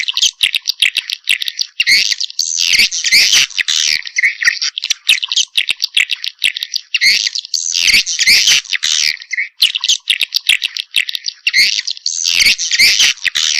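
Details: Swiftlets in a combined lure recording of mating calls, played to attract swiftlets: dense, harsh, buzzy chattering in bursts of several seconds separated by short gaps, with sharp clicks scattered throughout.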